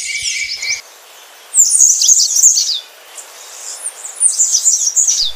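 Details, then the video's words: A black-faced grassquit sings two thin, buzzy, insect-like trills, each about a second long and spaced roughly two seconds apart. A brief steady whistle-like tone opens the recording. "O canto do Capim de cara preta"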